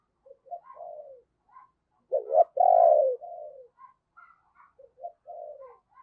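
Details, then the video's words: Decoy spotted dove giving thúc and gáy calls to lure wild doves. Soft, low, falling coo phrases recur, broken mid-clip by a loud burst of two hard coos and one long, full coo. Then quieter cooing resumes. "Chim Cu Mồi Thúc Và Gáy Gọi Bổi"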